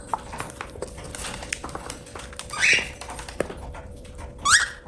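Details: Pet cockatiel feeding, uttering two upswept harmonic squawks almost two seconds apart amid light clicking of beak on food.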